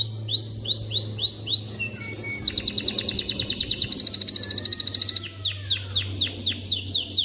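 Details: Canary singing to coach chicks and prepare females for breeding: looping upslurred notes, a dense rapid buzzy trill, then falling whistles, over a faint low hum.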